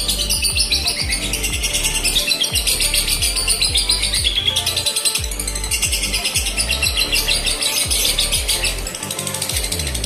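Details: Lovebird, male or female, singing a tune said to mark good prospects for 'konslet', long continuous singing: dense rapid high chirping and twittering in fast unbroken runs, over thumping music with a steady beat throughout.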